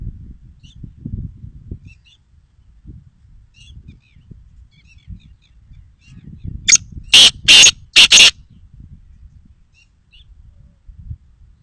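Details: Black francolin giving a short burst of four loud, harsh, rasping notes in quick succession midway through, set against soft low rumbling background noise and otherwise near silence.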